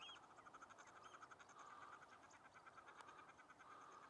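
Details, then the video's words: Common shelduck during the mating season, fighting fiercely over mates: a rapid run of harsh, pulsed calls repeating steadily throughout, over a constant noisy background. "Shelduck lovefights / Bergeend liefdesgevechten"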